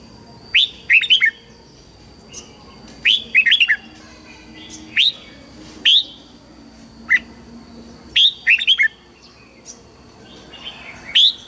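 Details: Red-whiskered bulbul in morning song, repeated lively whistled phrases of three to five notes alternating with single upward whistles, roughly every second, over soft background chirping.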